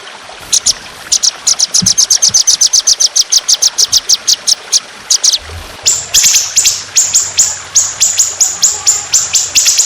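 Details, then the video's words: Trotolan songbird on a masteran training recording, in a harsh, long, continuous 'tembakan' style with trickling water. High, sharp notes repeat rapidly in long runs, then shift to a buzzier, descending series of strokes. "Masteran Burung Trotolan Jahat Tembakan Panjang Kasar Ngedur || Masteran Burung Dengan Gemricik Air"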